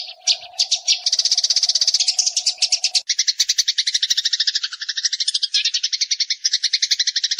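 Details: Eurasian tree sparrow in nyrecet-style chattering song, used as masteran training sound to provoke singing: dense buzzy rattling chirps in fast runs, joined by a steady low hum for the first three seconds.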